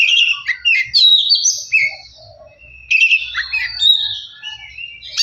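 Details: Oriental magpie-robin singing, used as a lure to make other birds sing and become agitated: rich varied whistles and chattering phrases, mostly high-pitched, a short pause mid-way, then another burst of sweet, twisting notes.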